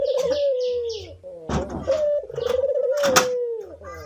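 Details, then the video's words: Cinnamon-headed green pigeon song: wavering, falling whistles broken by two loud bursts of broadband knocking or rattling noise, with a low hum beneath. "kicauan burung brenggolo"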